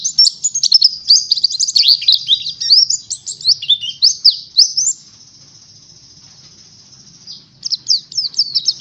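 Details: Oriental white-eye song used as a lure and as learning material for ngalas: about five seconds of shrill, jumbled twittering, then a long steady high hiss-like note, then a short burst of quick chirps.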